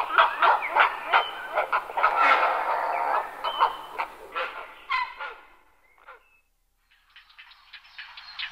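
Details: Grey heron: a busy run of harsh, rasping calls repeated rapidly and irregularly for about five seconds, then fading. A few short, thinner notes follow after a brief quiet gap.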